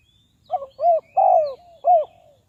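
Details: Decoy spotted dove used to lure wild doves into traps, cooing one low phrase of four notes: a brief stuttered opening, a rounded coo, a long descending coo and a closing downward coo.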